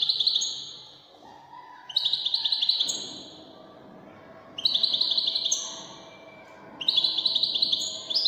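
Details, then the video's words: Moroccan wedani song from a European goldfinch, given in short high bursts of sparkling twitters and thin whistles roughly every two to three seconds, with quiet pauses and a faint low background hum between phrases. "الحسون الويداني الملك الذي يستحق استماع وتمتع في ادائه في التغاريد الويدانية المغربية"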